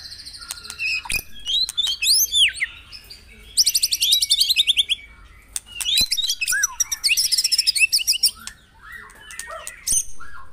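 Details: Dawn song of a white-rumped shama for prompting caged birds to sing: looping whistled slurs, a bright fast descending trill, more chattering phrases, then softer lower notes.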